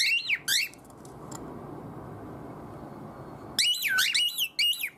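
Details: Pet cockatiel calling indoors with odd, nonsensical sounds to win its owner's attention: loud warbling whistles that sweep up and down, in two short bursts at the start, then a long quiet stretch of room noise, then a longer run of wavering whistles.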